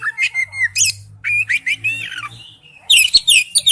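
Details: Oriental magpie-robin in wild-type forest song, giving rich whistled and slurred phrases around the middle of its range, then a dense burst of high varied notes near the end, with a faint low hum beneath.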